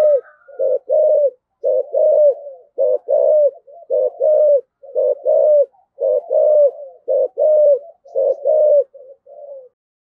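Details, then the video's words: Low, mellow coo pairs from a decoy spotted dove in 'giọng thổ' voice, 'gáy gọi hai hậu' calling: about nine two-part phrases repeated steadily, each a clipped note then a longer drawn one, without pause. "Chim Cu Mồi, chim cu gáy giọng thổ thúc gù và gáy gọi hai hậu rất chuẩn"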